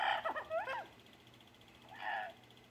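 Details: Pet parrot's morning vocal repertoire inside the home: a cluster of quick warbled whistles and a rising-then-falling note, a second of quiet, then one brief nasal call over a faint low hum.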